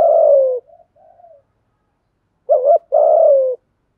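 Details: Spotted doves, male and female, giving lure coos: a long falling coo, faint low murmurs, a pause, then a short double-humped note followed by another long, slowly descending coo.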